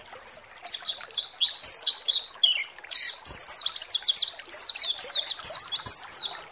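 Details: Lure song of a pleci meant to excite other birds into singing, a rapid high-pitched string of slurred descending chirps, broken by a short harsh burst midway, then resuming in a dense, lively twitter.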